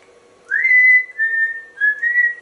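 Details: A talkative pet African grey parrot, hatched 1997, indoors at home in Texas while chatting to a Santa figure, gives three clear whistles, the first swooping up, then two held level notes, over a faint low hum.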